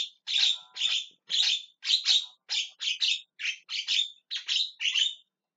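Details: Javan myna screaming and calling, harsh scratchy bursts repeated about twice a second, roughly a dozen rasping calls in steady succession with short gaps, no other sounds.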